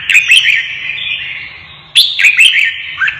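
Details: Caged red-whiskered bulbul stirred up for a fight, singing two bursts of bright whistled notes about two seconds apart, separated by a sustained ringing tone and a low background hum.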